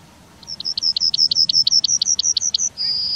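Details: Town-dwelling Yellowhammer in Wittlich, 2019, delivering a full strophe: about fourteen sharp, rapidly repeated high notes in a steady rhythm, followed by one long, level drawn-out final tone. Faint background hum.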